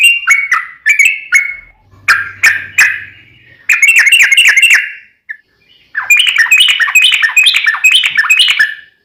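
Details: Yellow-vented bulbul (trucukan) in a fighting-style, long rapid-roll song used to provoke other bulbuls into answering: bubbly chattering notes in quick runs, broken into short bursts and pauses, with a longer run at the end.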